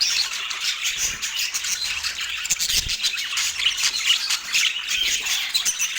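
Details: Pet parakeet at breakfast on an autumn morning, keeping up fast, raspy chirping and squeaky chatter that swells and fades in quick waves.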